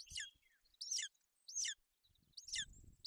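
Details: At a golden eagle nest in Bucovina on 28 May 2021, with the mother sheltering her chick in inclement weather, four shrill, descending chirps sound about every 0.7 seconds over soft low rumbling noise.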